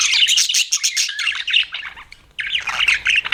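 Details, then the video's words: Rapid scratchy chirps from pet budgies, a burst of fast chatter that drops out into a short silence near the end before the twittering starts again. "BUDGIES CHIRPING SOUND"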